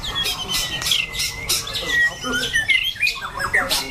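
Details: Caged competition white-rumped shama, described as loud and harsh-voiced with varied phrasing and strong endurance, giving sharp whistled and squawky notes of varying pitch, roughly one per second, with human voices in the background.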